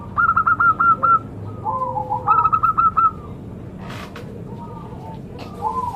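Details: Sacred-bird zebra dove repeating two quick bursts of about eight staccato, bubbling coo notes, each followed by lower sliding notes, then quieter, softer phrases after a couple of sharp clicks.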